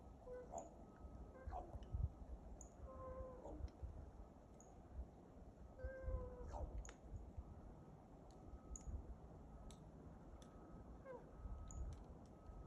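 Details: Common raven chased off by two mobbing Cooper's hawks near a woodlot, March 2023, giving silly, unidentifiable noises: brief level tones, soft meow-like wavers and dull knocks at irregular intervals, under thin high chirps from other birds and low rumble.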